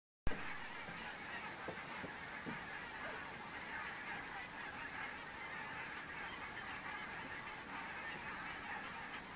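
A flock of geese keeps up a steady, dense chorus of overlapping honks, with a few louder nasal calls breaking through.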